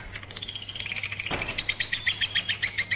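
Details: Lovebird chirping during rooftop song training with a master recording: a steady string of short, high, bright chirps, about seven per second, with a brief low thump in the middle and a faint hum beneath.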